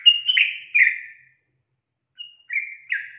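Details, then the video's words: Yellow-vented bulbul female, said to make males answer, gives a short three-note slurred phrase and falls silent for about a second. Two more bright, falling notes then follow. "SUARA GACOR TRUCUKAN BETINA YANG BUAT JANTAN NGIKUT NYAUT GACOR"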